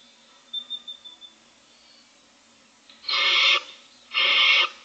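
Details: Barn owl owlets, six in a nest box on day 25, hiss while looking for food: two harsh, breathy, snoring bursts about half a second long, preceded by a few faint clicks and a thin whistled tone.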